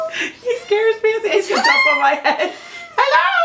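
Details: A pet Moluccan cockatoo playing peekaboo indoors talks in short, speechlike phrases with giggly, rising and falling notes, and says "hello".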